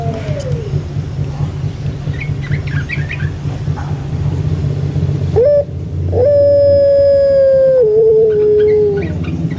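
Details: Barbary dove called puter pelung in Java, Indonesia, heard over a steady low hum: a quick rising note, then a prolonged even coo that steps down twice before fading; faint chirps from other birds earlier.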